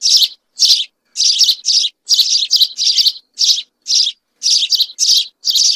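House sparrow chirping: short, harsh, bright chirps repeated about twice a second in an uneven series, with no other sounds.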